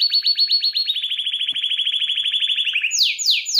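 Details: Agitated canary singing a fast, even trill of about eight notes per second, dropping slowly in pitch, then three loud sweeping downslurred notes at the end; clean background.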